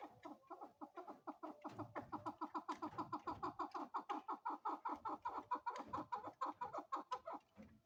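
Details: Female chukar partridge (chakor) giving a long run of rapid, evenly spaced clucking notes, steady and continuous for about eight seconds with little else heard.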